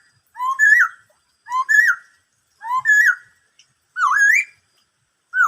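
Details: Black-throated laughingthrush singing the phrase style locally called "bắt cô trói cột": clear, loud whistled phrases, each a low note jumping to a rising-falling slur, repeated about once a second in a quiet setting.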